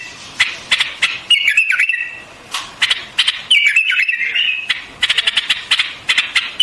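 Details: White-eared bulbul song, also called Iranian bulbul: sharp clicking notes, then two slurred, wavering whistled phrases separated by a pause, ending in rapid chattering with clicks.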